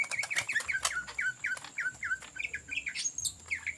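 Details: Greater Green Leafbird in lively ngetrok-style song used as a lure: a rapid run of bright, downslurred whistled notes, roughly four per second, mixed with sharper chirps and a faint steady high tone.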